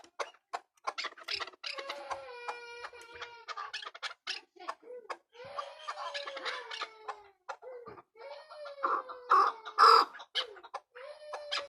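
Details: Hybrid chukar giving a series of short clucking notes and drawn-out, slightly falling nasal calls, irregular and several per second, with a louder burst near the end. Sharp clicks and knocks are heard between the calls.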